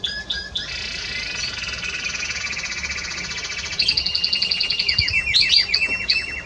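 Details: Spanish Timbrado canary on 30 May 2017 producing a long, even, buzzing roll for about three seconds, followed by brighter higher trills and a run of descending chirps.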